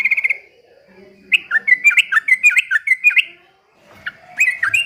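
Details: Sooty-headed bulbul (trucukan) delivering white-rumped shama imitation: a quick stutter of bright notes, then a lively sequence of rising and falling whistled slurs, a pause, and more chattering whistles with faint low murmur behind.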